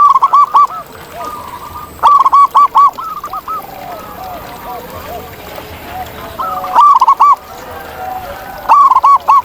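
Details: A natural perkutut (zebra dove) recording meant as a master for other birds: loud stuttering coo phrases recur every two to four seconds, with softer cooing doves filling the gaps.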